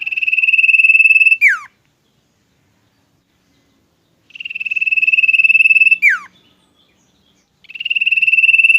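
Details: Common iora kept as a pet, singing two long, steady whistled trills on one high pitch, each ending in a quick downward slur, with silence between; a third trill begins at the end.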